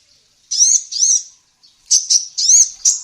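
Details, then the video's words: Female sunbird (kolibri ninja) in a songbird training recording, singing strongly: pairs of high, slurred, arching whistles, a short pause, then a quick run of piercing squeaky notes. "SUARA BURUNG KOLIBRI NINJA BETINA GACOR"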